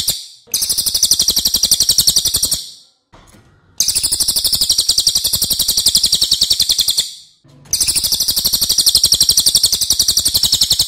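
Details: Racket-tailed Treepie, noted for a long, loud and competitive voice, used as tutor song: three long bursts of rapid shrill pulses, about four per second, separated by short silences.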